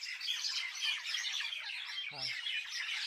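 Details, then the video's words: Village birds chirping in a thick chorus of overlapping high twitters and short whistles, with a brief low voice-like sound just past the two-second mark. "Birds chirping in my village"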